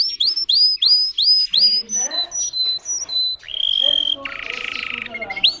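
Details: Russian song canary bred for singing delivers a series of repeated rising whistled sweeps, then lower descending notes, a long steady whistle and a buzzy rolling trill to close.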